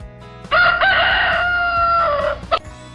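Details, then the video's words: Rooster giving one loud, drawn-out crow of about two seconds. It starts with a sharp rise, holds a steady strained tone, then ends with a brief drop, over soft background music. "Roosters are famous for waking us up in the morning with their loud crowing."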